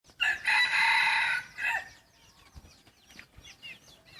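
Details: Young yellow-line decoy rooster, a cross with wild junglefowl, gives one loud, harsh crow lasting about a second and a half, held level then falling away, followed by faint high chirps of small birds in the background.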